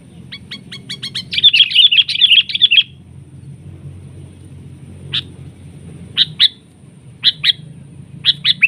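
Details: A sooty-headed bulbul attacks a decoy bird while being lured for trapping. A quick chattering series of bright chirps opens, followed by scattered single sharp notes repeated at irregular intervals.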